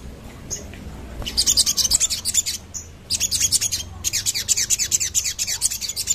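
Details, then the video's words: Crimson sunbird song used as a lure sound for sunbirds: rapid bursts of thin, very high chirps, tumbling in quick runs of about a second each with short pauses, over faint rustling. "Sogon cepat nyaut dengar suara ini"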